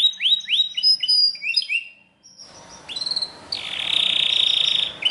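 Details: Belgian canary singing strongly: several rising swooping whistles in quick succession, a short pause, then a harsh, noisy stretch leading into a sustained buzzing trill.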